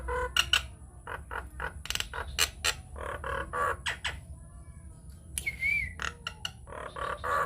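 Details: Loud, varied Nias hill myna singing used as a lure to set other mynas off: clipped harsh bursts, nasal notes and a sliding whistle, delivered in irregular sequences over a faint constant high hum.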